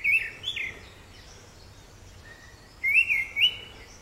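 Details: Orange-headed thrush singing brief whistled phrases: a pair of looping slurred notes at the start, then after a pause another rising-and-falling whistled phrase with high thin grace notes; steady faint background hiss.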